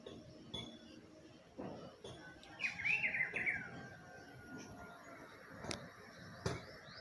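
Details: Rufous-browed peppershrike in spring: one short warbled phrase of rising and falling whistled notes lasting about a second, with faint background noise and a few scattered clicks.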